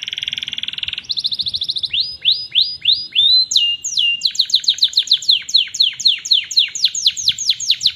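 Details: Canary singing, a master recording meant to train other canaries: a buzzy rolling trill, then upswept whistled notes, a sweeping slide, and a long run of quick descending chips repeated several times a second.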